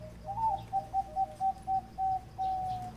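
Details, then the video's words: Zebra dove giving a 'tap'-style song: a quick rising lead note, then a steady series of clipped coos that lengthen and slow toward a final long, level coo. "นกเขาชวาเสียง |EP109 ร้องตับฟังเพลินๆ"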